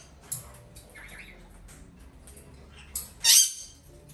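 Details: A young female red-shouldered macaw, hand-reared from a chick and bred domestically, gives one short, harsh, grating squawk after a few faint clicks and rustles in an otherwise quiet room.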